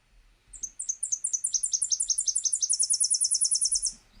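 Tennessee Warbler: a very high, thin three-part song of sharp doubled chips that speed up and end in a fast, dry trill, all in about three seconds.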